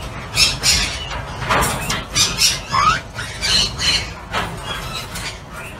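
Australian ringneck giving harsh, bright squawks in quick bursts, roughly three per second, with a few short whistled upslurs; a low rumble of background noise runs beneath.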